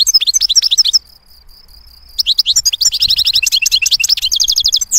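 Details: European goldfinch in clear song, with tinkling twitters, a pause filled by a thin steady whine, then a lively run of liquid notes ending in a rapid, evenly spaced trill.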